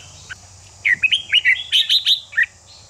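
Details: Red-whiskered bulbul song used to rouse a bird into fighting song: a quick run of bright, whistled, warbling notes rising and falling, about ten syllables packed into under two seconds after a single short opening note.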